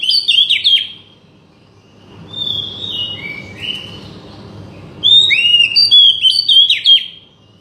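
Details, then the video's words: Song of an Oriental magpie-robin played to coax a bird that has stopped singing: bright, warbled whistled phrases at the start and end, with quieter sliding whistles between, over a steady low hum. "buat mancing burung kacer macet bunyi"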